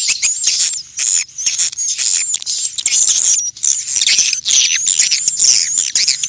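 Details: Swiftlets calling in the wild, a sound meant to draw them in: bursts of thin, squeaky twittering and high whistled chirps in a noisy chorus, with brief gaps.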